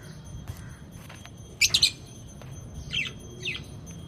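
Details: Lovebirds giving a quick cluster of sharp, high chirps, then two softer descending chirps, against a constant low rumbling background hum.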